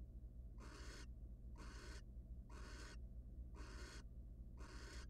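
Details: Five loud, broadband screechy hisses, each about half a second long and evenly spaced about a second apart, from a wild barn owl in a nest box as the male delivers prey to his mate.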